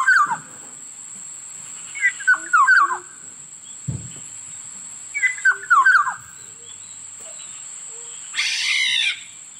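Black-naped oriole giving two bursts of liquid, fluty whistles, then a harsh nasal squawk, over a steady high insect drone.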